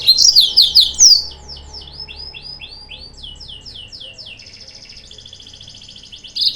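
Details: Yellow-fronted canary song serving as a lure to provoke rival birds: loud sweeping slurred notes at the start, then a long series of repeated downslurred chips and an even buzzy trill.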